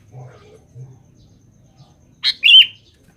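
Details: Single loud, sharp double chirp from a sooty-headed bulbul calling to females, preceded by a few soft, low sounds.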